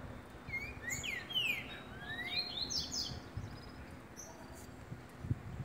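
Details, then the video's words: A green-winged saltator sings on 10 April: a phrase of rich, slurred whistles sweeping up and down, with a few thin high notes after, over a low background rumble. "O CANTO DESSE TRINCA ALEGRA OS OUVIDOS"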